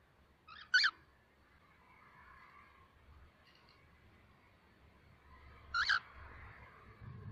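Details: Cockatiels after bathing, preparing for the mating season: two sharp, harsh screeching calls, one near the start and one about five seconds later, over a faint background hum.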